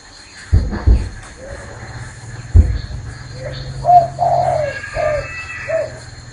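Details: Spotted dove perched on a hand, cooing: a few thumps and handling noise at first, then soft low coos in a short run toward the end.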